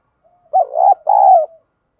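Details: Spotted dove calling coo in 'giọng đồng' voice, used to train decoys: a faint lead-in tone, then a throaty wavering note and a sustained, softly falling hoot, closing with a faint trailing tone.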